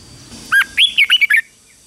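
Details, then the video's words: Red-whiskered bulbul in morning training, singing a single quick, cheerful phrase of about six clear whistled notes that bounce up and down, over faint low background noise. "Luyện chào mào hót sáng | chào mào hót đấu"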